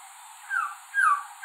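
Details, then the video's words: Singing white-rumped shama, whose male sings to attract a mate: two slurred whistles falling in pitch, spaced about half a second apart, against a quiet background. "White Rumped Shama Singing"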